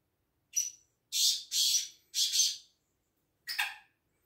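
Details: Black francolin calling in the UK; a short grating note, then two pairs of loud harsh rasping bursts in quick succession, and a final shorter rasp after a pause, with otherwise silent background.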